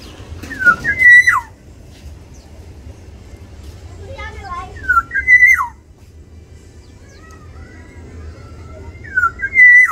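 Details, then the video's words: Black-naped oriole in an aviary, fighting to defend or seize territory: loud fluting whistled phrases, each rising then dropping sharply, repeated about every four seconds, with softer whistles between and a low hum beneath. "Pertarungan burung kepodang di dalam aviary"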